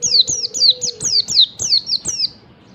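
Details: Morning song of a wild Oriental white-eye with a yellow breast, used to coax reluctant caged white-eyes into singing. Nine bright, piercing descending chirps come in a steady run before falling quiet.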